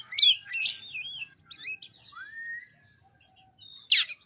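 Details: White-rumped shama lure song for a bird that will not sing: a loud tumbling whistled phrase, a long sustained high note, a soft rising whistle, then a sharp burst.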